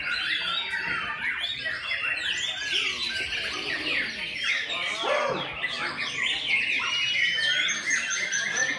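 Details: White-rumped shama singing a dense, varied stream of whistled and chattering phrases, with quick rising and falling notes and sharp high accents, continuous throughout over a busy background of other chirps.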